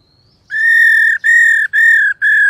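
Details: A female Black-throated laughingthrush, played to stimulate males to sing, gives four long, steady, clear whistled notes, each about half a second, evenly spaced with brief gaps.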